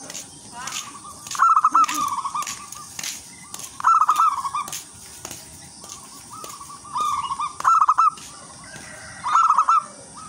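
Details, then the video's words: Lure song of a local wild zebra dove, lively and melodious: rolling, stuttered cooing phrases that recur in groups, and soft higher chirping from other birds in the background. "perkutut lokal alam gacor irama merdu jadi pancingan semua perkutut"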